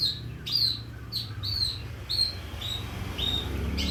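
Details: Learning Calandra lark used as a tutor bird: a string of short, sharp, high chirps, roughly one every half second, some slurred downward, over a noticeable low rumbling hum.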